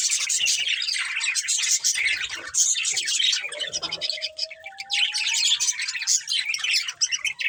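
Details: Two budgies, a breeding pair, warbling rapidly with high chatter, while a thin, slowly rising whistle runs beneath the chirps through the middle of the recording.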